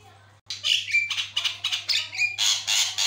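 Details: Javan myna in full energetic song, said to prompt other mynas to reply; a dense run of harsh chattering notes, about three or four per second, mixed with short whistles, over a low steady hum.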